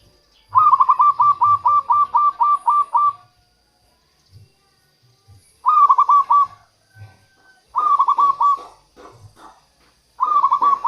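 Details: Local zebra dove song used as a lure to attract wild doves and stir quiet captive birds: a rapid stuttering cooing trill lasting about three seconds, then three shorter rolling bursts separated by silent pauses.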